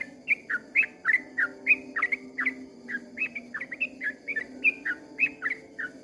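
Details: Long 'ropel' song of a sooty-headed bulbul at dawn: a fast, steady stream of slurred whistled notes, rising and falling, kept up for six seconds over a low hum.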